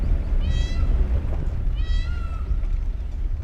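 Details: Male peacock calling in the morning in the Bijrani zone of Jim Corbett National Park after dancing with spread feathers: two loud, nasal, meow-like wailing calls about a second and a half apart, over heavy low rumbling engine noise.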